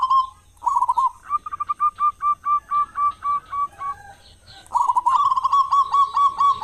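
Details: Loud local zebra dove singing as a lure for other doves, morning and evening: a brief coo, then a long, evenly paced series of about a dozen clipped hooked notes, ending in a run of rapid rolled coos.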